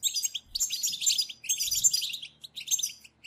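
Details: European goldfinches calling together in a group chorus used to stimulate other goldfinches to sing: dense bursts of high, liquid twittering and chattering notes, overlapping and tumbling, with short pauses between flurries.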